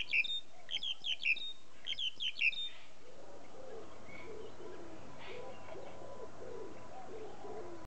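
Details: A black-collared starling at Taman Indonesia sings loudly, full-chested: two quick bursts of sharp, squeaky whistled notes, then a lower, murmuring warble over steady background hum.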